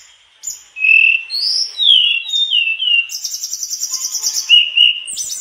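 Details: Energetic mangrove blue flycatcher delivering its learned repertoire: rounded whistled phrases rising and dipping, followed by a long rapid run of high, evenly repeated chattering notes and a closing pair of whistles.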